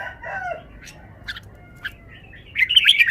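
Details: Caged red-whiskered bulbul showing off its song phrasing: short bright whistled and chirpy notes, spaced apart, then a louder rapid burst of warbled notes near the end. A lower swooping note is heard early on.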